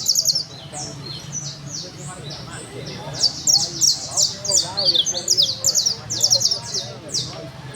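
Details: Criollo canary song of very high, quick chattering notes and trilled runs that grow louder midway, with a constant low hum and faint murmur beneath.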